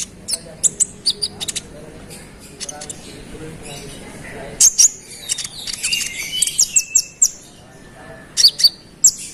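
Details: Konin song meant to provoke rival sunbirds: scattered sharp high chirps in short series, then a denser burst of twittering and slurred whistles, ending with a few clipped high notes.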